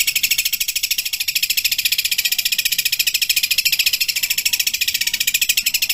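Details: ['Long-tailed shrike singing a long, dense roll in a full-variation song with kuntilanak, tengkek buto and fighting-sparrow mimicry. Throughout, a continuous rapid, evenly pulsed, very high trill is heard.']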